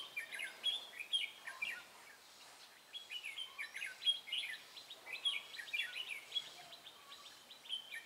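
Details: Red-whiskered bulbul singing fast, intense fighting song during trapping with a decoy bird, recorded 23 March 2018 in Vietnam; bright whistled phrases of quick rising and falling notes, repeated densely throughout, with other chirps faintly behind.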